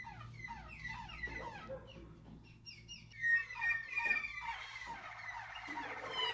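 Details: Waterslager canary song from 2019: quiet scattered chirps and rising notes at first, building into louder rippling, bubbling phrases with quick descending trills in the second half.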